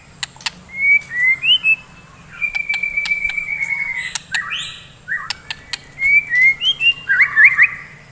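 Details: Morning song of a white-rumped shama fighting bird: sparse high whistles and a long held note, broken by sharp clicks and rustling, ending in quick upward flicks.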